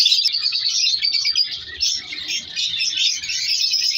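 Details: A short burst of busy, high squeaky chattering from a colony of captive color lovebirds, many voices overlapping without pause, with faint low rustling below.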